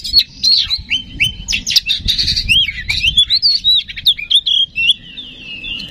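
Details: Oriental magpie-robin song, played to stir up other magpie-robins so they sing: a continuous, varied stream of sweet whistles, quick trills and scratchy notes, with a low rumble beneath.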